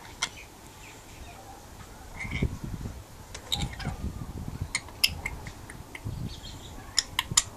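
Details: Rainbow lorikeet kept as a pet, enjoying outside time on a verandah and answering outdoor birds: rapid sharp, scratchy squawks and clicks, loudest near the end, with low thumping handling noises mid-recording.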